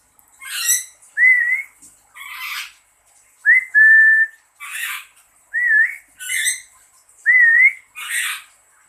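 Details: Caged lory responding to a person's imitated whistles: smooth, wavering human whistles alternate with rough, grating squawks, about four exchanges in nine seconds, indoors and quiet.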